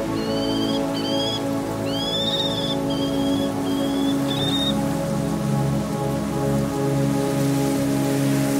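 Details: Common kestrel from a family with a female in a pine forest in Sardinia gives about six short, high, thin calls in the first five seconds, over steady rushing noise and a low hum.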